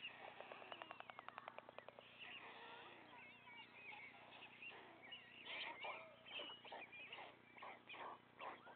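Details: Nest of white storks, father feeding the remaining three chicks: a quick rattling run of clicks at the start, followed by busy, overlapping squeals and wheezes with a low background hum.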